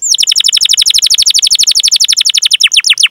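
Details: Canary in rolling song, recorded to prompt young or silent canaries to sing; a rapid, very regular trill of falling whistled notes that widens into deeper, slower sweeps at the close.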